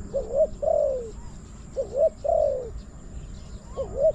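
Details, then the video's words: Wild spotted dove pair met at a hunting spot in Thailand, calling toward a caged decoy dove, gives soft, low, mellow coos in short rising-then-falling phrases, repeated every second or so over a faint steady hiss. "ต่อนกเขาใหญ่ EP289หมายสองกุกเรียกลงกุก"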